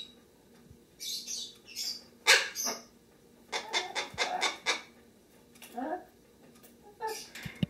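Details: A pet Lesser Sulphur-crested Cockatoo gives harsh, raspy squawks and screeches indoors, in uneven bursts, some sliding upward, with short pauses between. A pet macaw talks in the background over a low indoor hum.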